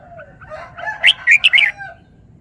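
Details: Caged red-whiskered bulbul performing a song phrase: a fast, cheerful string of four clear, ringing whistled notes, preceded by soft, low, wavering calls in the background.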